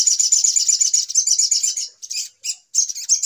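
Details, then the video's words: Lure recording of little spiderhunter for bird trapping, with a shrill, rapid, continuous trill that breaks into short bursts with brief silent gaps near the end. "Suara Pikat Ribut Burung Sogok Ontong Paling Mujarab"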